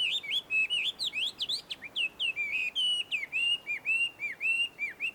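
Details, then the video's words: Wild Chinese hwamei at a Tenmangu shrine surrounded by shady trees in Joso, Ibaraki, Japan: rich varied whistled song, quick rising and falling notes, then a steady series of looping whistles repeated about twice a second. "ガビチョウの鳴き声鳴き声。suara merdu Poksai di alam liar!"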